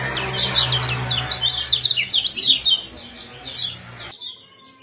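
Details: Kecial kuning with 'ciak jos' chirps used to trigger breeding condition: a quick run of about a dozen sharp descending notes that fade away before the sound abruptly cuts off, over low hum.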